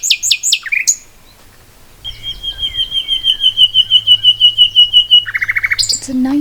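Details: Common nightingale singing at a bottle dump among moss: a few loud, sharp notes, a pause, then a long, steady, whistled note beneath a rapid pulsing series that swells in loudness for about three seconds, ending in a quick stuttered burst.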